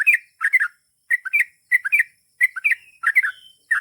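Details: Sooty-headed bulbul singing a long repetitive song of paired bubbly chirps, each burst of two or three notes spaced about half a second apart.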